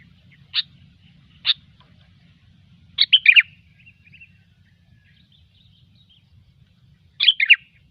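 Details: Gecor-style song of a sooty-headed bulbul, a recording meant for luring birds: two single sharp chip notes, then a rich tumbling phrase of slurred whistles, and a last phrase after a pause, with a soft low hum beneath.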